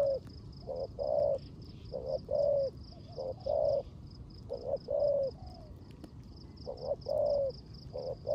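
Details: Caged decoy spotted dove cooing in rain in the 'rước gù' style. Low mellow coos come in short bursts, some with a slight downward slur, and an unbroken high pulsing buzz runs throughout.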